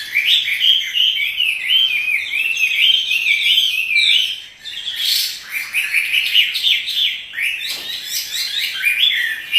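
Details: A dancing caged Chinese hwamei delivers a continuous, vigorous song of rolling whistles and rapid slurred notes, briefly pausing mid-way before another lively run.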